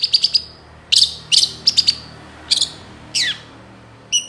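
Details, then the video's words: Long-tailed shrike gacor song as a master recording: quick triplets of bright, high chirps, then separate sharp notes and a slurred downward squeak, spaced irregularly over faint background hum. "SUARA CENDET FULL ISIAN GACOR DOR"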